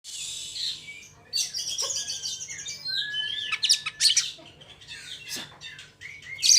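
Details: Oriental magpie-robin (kacer) song, used to provoke other magpie-robins into singing; a varied stream of bright whistles, slurred rising notes and scratchy chirps in bursts, a faint low hum underneath.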